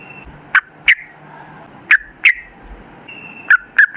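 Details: Sooty-headed bulbul calls from a lure recording intended to get bulbuls singing: sharp, short, downward-slurred chirps, often in pairs, separated by pauses over quiet background hiss.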